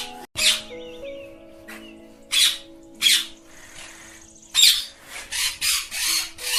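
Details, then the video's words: Pet ringneck parrots playing on a table give harsh, high, screechy bursts, several in quick succession toward the end, over steady background music. "Ringneck Parrots Talking"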